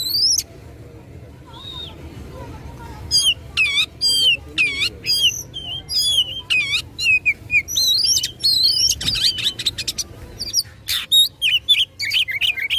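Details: Oriental magpie-robin in full song, described as fighting and provoking rivals: a varied run of sharp, high whistled notes and rapid sweeping chirps, some steeply falling, delivered in quick bursts after a quiet opening with a few soft notes.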